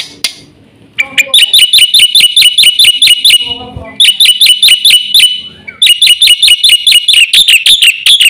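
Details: Black-winged myna singing vigorously with a full range of filler phrases, used to prompt and tutor other mynas. Loud, shrill, sharp whistled notes repeat in fast runs, broken by a few lower chattering bursts.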